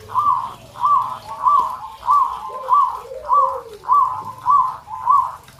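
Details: Local zebra dove giving steady, soft, rounded notes repeated about every 0.6 seconds in an even rhythm, with a faint lower coo in the background.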